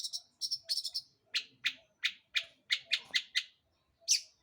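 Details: Long-tailed shrike used to provoke other birds into song: a few quick doubled chirps, then a series of loud, rasping harsh notes about every third of a second, ending with one more harsh note.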